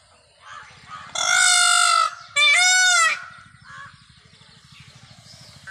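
A peacock gives two loud, nasal, wailing calls, each about a second long, close together, over a low throbbing rumble in the background.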